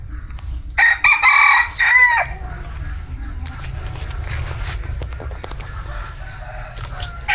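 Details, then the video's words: A bantam rooster crows loudly for about one and a half seconds in several rough, broken phrases, followed by several seconds of background rustling and faint clicks. "Tiếng Gà trống tre gáy"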